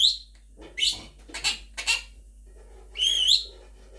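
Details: Pet Monk parakeet (Quaker parrot) talking and singing along with its owner at home: a quick run of sharp, high chirps and squawks, a pause, then one longer warbling whistled note that bends up and down.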